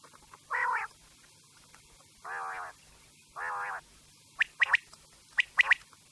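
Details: Quail sound intended for night: three nasal, buzzy harmonic bursts spaced over a second apart, followed by two quick clusters of sharp, high, clipped notes, with low steady hum behind.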